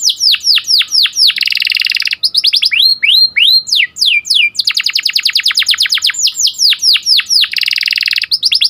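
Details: Domestic canary singing a sharp rolling cuit-cuit style song used to train canaries: loud fast trills of repeated downslurred notes alternating with rising sweeps, continuous and piercing.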